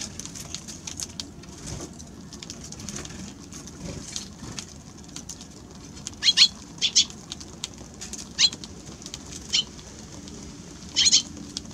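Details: Eurasian tree sparrow calling: five short, bright chirp bursts spaced irregularly through the second half, set against a quiet, steady low hum.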